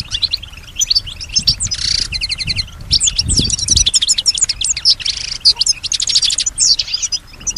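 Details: European goldfinch imitating nearby sounds like other birds and human noises; long bout of high, rapid twittering with trilled runs and buzzy patches, over some low background rumble.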